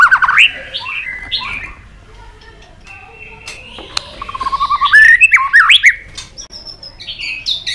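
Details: White-rumped shama, excited and flicking its tail, singing a varied song in many voices: whistled notes sliding between low and high, short rising phrases, then a loud rapid burst of clicky notes and trills.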